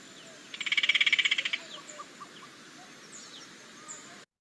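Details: Yellow-crowned Gonolek duet: the male starts the call, then the female answers with a harsh, jittering rattle of about fourteen fast buzzy pulses over one second, a contact call; faint chirps from other birds follow; Yellow-crowned Gonolek.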